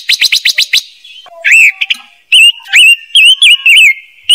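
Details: Silver-eared mesia calls used as a lure for a bird-trapping speaker. A fast burst of six sharp chips opens the sequence, followed by loud slurred whistled notes, some rising and some wavering, repeated in short phrases.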